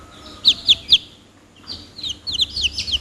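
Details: Chicks call with three loud high peeps in a row, then a quieter pause, then a rapid cluster of overlapping falling peeps from several birds.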